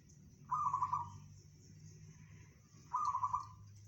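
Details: Local zebra dove giving its bedah karang song, said to reach 500 meters: two short rippling, trilled coos about two and a half seconds apart, with a steady low hum underneath.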